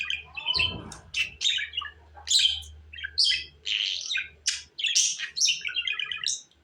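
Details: Budgerigar warbling: a busy stream of chirps, squeaks and scratchy rasps, with a soft low hum underneath.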